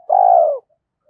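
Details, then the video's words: Spotted dove decoy giving one sustained, mellow, low coo that slides slightly downward at the end, used to get wild doves cooing. A quiet background follows. "Chim Cu Mồi - cu gay kich boi nhanh noi gù"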